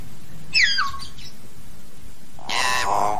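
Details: Hill myna flock call: a bright whistle that falls quickly, then a loud, rough, raspy squawk, with faint low background noise.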